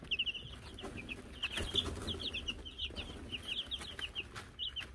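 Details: Baby Wyandotte chickens, Silver Laced, Gold Laced and Gold Laced Blue, filmed in May 2022 after getting a bell: a dense stream of high, thin, downward-sliding peeps from several chicks, nearly continuous, with soft rustling below.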